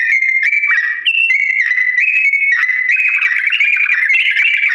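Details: Yellow-vented bulbul in a long, slow rolling song used to teach other birds to imitate: continuous clear whistles around two kilohertz, stepping up and down between held notes, with no pauses and no other sounds.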